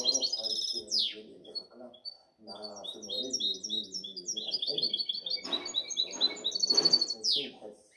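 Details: Goldfinch hybrid, seven months old from the 2019–2020 season, sings an energetic medley of bright twitters, chips and fast trills with two rasping buzzes, as a man chats in Arabic in the background.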